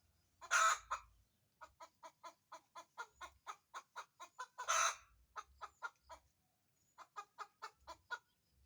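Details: Chicken after laying an egg: a fast series of short clipped clucks, about four a second, broken twice by loud drawn-out squawking cackles, with faint low thumps underneath.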